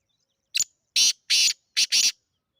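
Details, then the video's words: A teetar, a partridge from Sindh, calling in a speed check: one short rasping note, two long breathy notes, then a tight pair, the whole burst lasting under two seconds in an otherwise quiet setting. "Teetar ki Speed Check karo"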